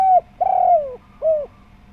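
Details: Lively local spotted dove calling, used as a lure to make other doves call; three mellow, rounded cooing notes, a short falling coo, a longer sliding middle coo, then a brief arched final note, in quiet surroundings.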